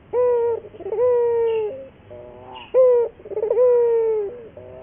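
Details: Lively local Barbary dove lure song used to train doves: a short sharp note then a long, even, throaty coo, given twice in under five seconds with a soft lower murmur between.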